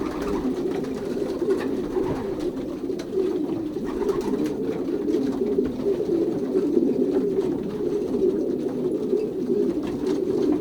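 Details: Indoor loft of young racing pigeons at pairing time, 2023 season, Pruszków branch in Poland; continuous low overlapping coos from many birds form a dense, even hum for the whole stretch.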